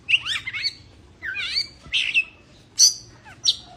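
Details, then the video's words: White-rumped shama in breeding condition singing rich, warbled phrases of rising and falling whistles and buzzy notes, broken by short pauses and ending with high sharp chips. "kacer birahi"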